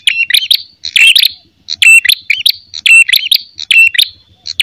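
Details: Red-headed prinia's fighting call, the kind played to lure birds. Bright, scratchy chirp clusters with a ringing overtone repeat rapidly and unevenly, about seventy bursts a minute, mixed with short twangy notes. A few soft low knocks run underneath.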